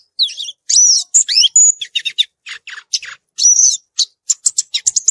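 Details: Violaceous euphonia singing in the wild: a rapid jumble of high chirps, twittered notes and short whistled slurs, with bursts of buzzy sputtering phrases in between.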